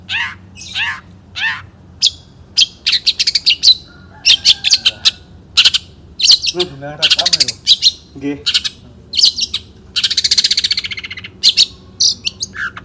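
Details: Champion Long-tailed shrike sings in one-point style with fast scratchy chirps, repeated clicking bursts and a rattling trill, mixed with varied mimicked notes; faint low voices underneath.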